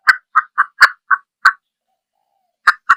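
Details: Hen red junglefowl utters a loose series of short, dry clucks, six in the first second and a half, a pause of over a second, then two more.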